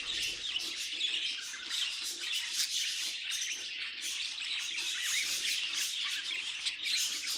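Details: Pet budgies in a lively, continuous high warble, quick squeaky chirps and scratchy trills running together without pause.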